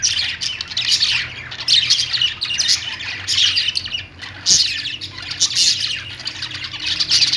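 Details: Pet parakeets (budgerigars) keep up lively overlapping chatter of thin chirps, warbles and rasping squawks in pulsing bursts, with a soft hum beneath.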